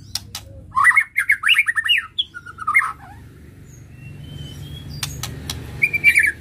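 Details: White-rumped shama song meant to arouse emotion in other birds: a quick burst of varied whistles and twittering phrases, then quieter scattered notes and a final whistled phrase, over a constant low background hum.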